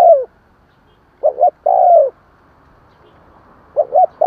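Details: Spotted dove call for stimulating newly caught doves: a falling coo ending, then a full phrase of two short notes plus a longer gliding coo, and another phrase beginning after a two-second gap.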